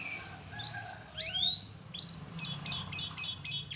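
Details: Canary singing vigorously in a full, melodious song used as a training recording: faint whistles, then bright upward-sweeping whistled slurs, ending in a rapid, ringing high trill of repeated notes over low background hum.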